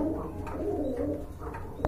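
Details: Caged pigeons of several kinds held indoors for sale, giving a continuous low rolling coo with soft wavering pulses, closing with a brief clatter.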